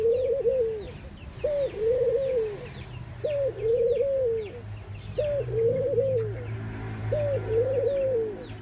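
Mourning doves give soft, low, hollow coos in short two-part phrases, about one every two seconds. Faint chirps from other small birds and a low background rumble are also heard.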